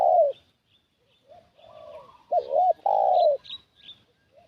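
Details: Spotted dove calling as a decoy to draw in wild doves. It gives a low, husky coo, then a rolling two-beat note and a long sustained coo. Soft, thin chirps from other birds sound faintly above.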